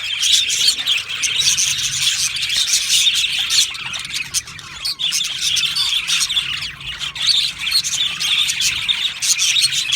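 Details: An aviary of budgies gives lively overlapping chirps and occasional squawks. The chorus swells and eases slightly but continues without break.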